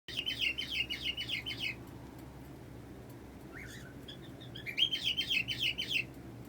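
A cockatiel gives bursts of rapid, chirpy chatter with a brief pause between them.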